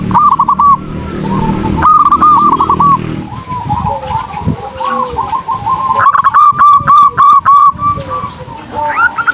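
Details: Perkutut, the zebra dove, singing energetically as a tutor song for training birds: stuttering cooing phrases at the start, softer overlapping coos through the middle, then a loud burst of quick, clipped, tremulous notes near the end.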